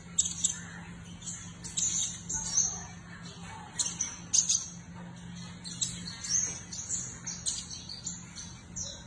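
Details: A seven-coloured sunbird twitters lively in quick bursts of thin, very high-pitched chirps and trills, with short pauses between them, over a faint low hum.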